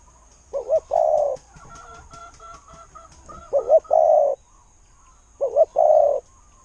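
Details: Spotted dove, a decoy bird with a kuu-ang style voice, gives three cooing phrases about two seconds apart. Each is a quick double hoot followed by a longer, steady, mellow coo, with faint background noise between.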